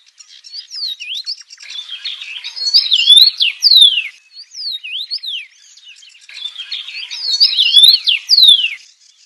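A red-headed bird sings two long, varied phrases of sharp, high whistled slurs and chirps, rising and falling quickly, with a short pause between them.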